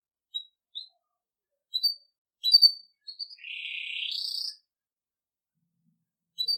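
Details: Belgian canary in campainha (bell) song style, played for training young birds: scattered high sharp chirps, then a rising buzzy phrase lasting about a second, then quiet before further short notes.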